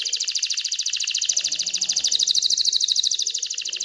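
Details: Excited canary song meant to stimulate females to mate and nest-build, a continuous rapid high trill of evenly repeated notes, about three or four per second, with faint low background noise.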